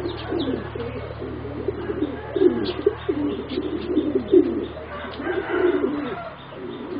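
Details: Competition-bred singing zebra doves, four young birds around three and a half to four months old. Low bubbling coos overlap almost without pause, with a few sharp chirps above and a steady low hum underneath.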